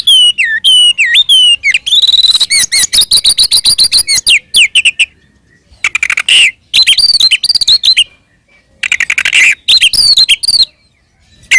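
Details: Oriental magpie-robin fighting song used as a provocation lure: swooping whistles leading into rapid rattling chirps, then dense bursts of high, varied notes separated by short silences.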